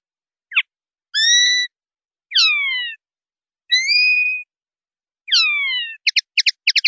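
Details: Common linnet, 'limpio' clean song style in Spanish silvestrismo, 2019/2020: a short chip, then four drawn-out whistled notes, some sliding downward, followed by quick bursts of rapid rattling twitters.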